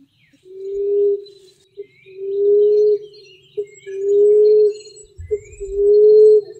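Common emerald dove giving low, soft, drawn-out moaning coos, each about a second long, about every one and a half seconds, with a short clipped note between.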